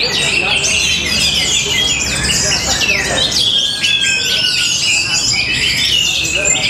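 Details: Nonstop high chattering song of an orange-headed thrush from Tabanan, Bali, mixing quick chirps and buzzy slurs with a drawn-out falling whistle halfway through and faint background rumble.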